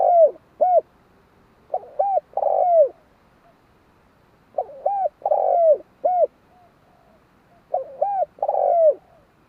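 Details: Spotted dove cooing steadily, about three full phrases in under ten seconds, each a stuttered start, a rounded coo, a drawn-out falling rough note and a closing coo, clean and unhurried.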